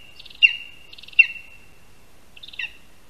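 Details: Lesser spotted eagle (Clanga pomarina) at its nest in a spruce in Latvia, 22 August 2021, as the first prey, a rat, is handed over on the tree. Three high yelping calls sound, each with a rattling lead-in and a sharp downward slide, the last one softer.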